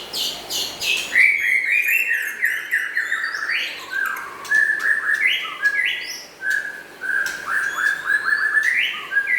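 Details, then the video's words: Lively song of White-rumped shamas, local and forest-imported birds: rapid clicking opens, then a long run of loud wavering whistles stepping down in pitch, repeated phrases with sharp ticks between them. "Meriah nya Suara Murai Batu LOKAL Dan Hutan IMFORT"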